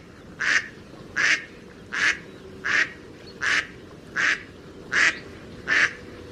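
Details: Mallard duck giving a steady series of eight loud, nasal quacks, evenly spaced about three quarters of a second apart, each short and harsh, over a quiet background.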